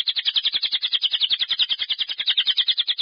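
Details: Lovebird giving a long-breath ngekek trill, used as a lure so other lovebirds follow and sing. Rapid, even chattering notes repeat about ten times a second without a break.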